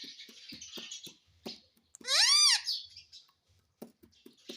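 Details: Pet rose-ringed parakeet talking and saying "mummy": one loud rising-and-falling harmonic utterance in the middle, surrounded by soft clicks and light tapping sounds.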